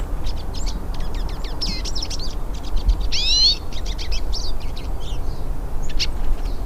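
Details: Several hooded siskins singing in the wild: rapid high twittering with sharp chirps and a louder sweeping, rising phrase near the middle, over a steady low rumble of background noise.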